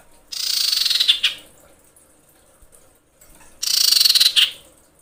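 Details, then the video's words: A female common iora in breeding condition screeches for males as a bird-catching lure. Two bursts each last about a second and are spaced roughly three seconds apart. Each is a rapid, buzzy, high trill that slides slightly downward and ends in a sharper note. "suara pikat sirtu/cipoh birahi menjerit memanggil jantan"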